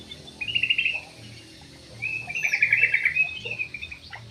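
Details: A Javan pied starling (jalak uret or suren), a bird said to dance well, delivers two rapid chattering phrases of scratchy, repeated high notes, the second longer and louder, over a low steady hum.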